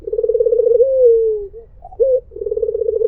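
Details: White Barbary dove giving its melodious mpuk jeruuu coo: a low rolling, pulsed purr, then a smooth drawn-out falling note, a short sharp upward note and another rolling purr.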